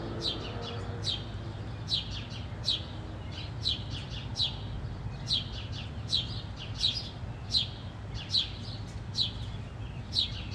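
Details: Sparrows of the house species fighting: loud, bright chirps repeated roughly once a second, often in quick doubled or tripled notes, over faint low rumble.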